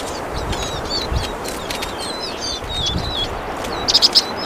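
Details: Vinous-throated Parrotbill (Paradoxornis webbianus bulomachus) singing thin, high twittering notes with short chirps and slurred whistles, ending in three sharper notes, over a low steady hiss.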